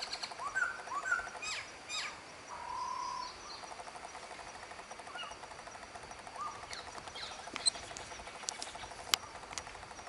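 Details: A black-throated laughingthrush singing at Bach Ma, Vietnam, gives a few clear whistled notes, then one long steady whistle, over a soft forest hiss with a few faint distant calls and clicks.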